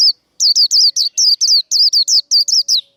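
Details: White-eye in líu đấu fighting song, used to provoke other birds. A dense, unbroken chain of about eleven loud, high, down-curving whistled notes runs at a fast, slightly uneven pace.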